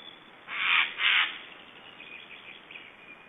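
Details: Black storks in Estonia making strange sounds during feeding, 1 July 2012 around 10 am: two loud, harsh, hissing-rasping bursts in quick succession, followed by fainter rasping.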